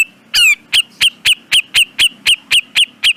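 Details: Grey-cheeked bulbul on a training recording for cage birds: a rough opening note, then a fast, even series of short chirps, about four each second, each with a slight downward inflection.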